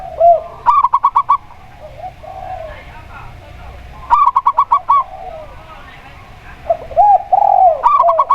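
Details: Local Indonesian zebra dove (perkutut) singing in alternation with a spotted dove (tekukur): bursts of rapid staccato cooing notes alternate with lower, rounded coos, repeated every few seconds over a low background hum.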